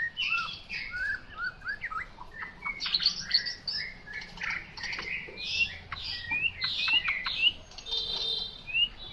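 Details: Chinese hwamei singing more softly: a loose sequence of separate whistled upslurs, short chips and sharp notes, with pauses between phrases against a noticeable low background hiss.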